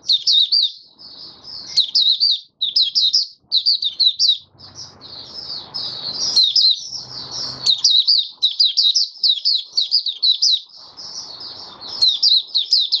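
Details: Long, sustained 'buka sing' performance by a caged oriental white-eye, 20 January 2022, fifth day after monthly deworming. High, thin, rapid twittering continues almost unbroken, rising and falling notes in quick phrases, with soft low rustling noise at times.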